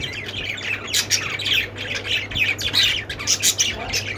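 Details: Budgerigar flock, lovebirds also listed, giving grating squawks and high chirps in uneven bursts, several voices crowding together above a low steady hum.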